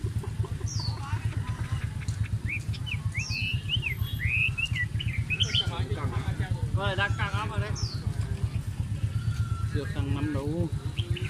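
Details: A pair of Chinese hwamei (Garrulax canorus) at a market, drawing a crowd, sing loud, varied whistled phrases of slurred, rising and falling notes over people talking and a steady low engine drone.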